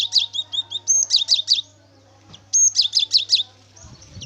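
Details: Gelatik batu, the cinereous tit, singing vigorously as a lure to set other birds singing: two quick runs of loud, high, repeated chirping notes, each run about a second long, with a faint low hum and some soft background knocks.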